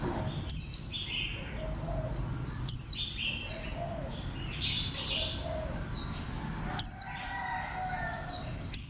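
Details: Warbling white-eye kept in a cage, described as bantam-shaped, repeating a loud, thin, falling note four times at uneven gaps, amid quieter high twittering and some lower chirps from other birds nearby.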